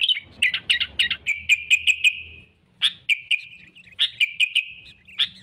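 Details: Sooty-headed bulbul singing persistently as a lure for trapping rivals: bright, sharp chirps in quick bursts of five or six notes, a brief pause near the middle, then a second run of similar repeated chirps.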